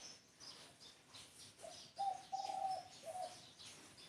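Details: Spotted dove song of low, hollow coos, one short note then a long sustained pair and a final shorter coo, set against light high twittering.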